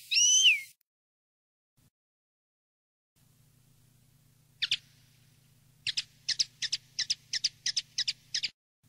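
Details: Field-style common linnet song for tutoring young birds. A single bent whistle is followed by a long pause, then a lone chirp and a steady run of about nine crisp, evenly spaced notes over a low hum.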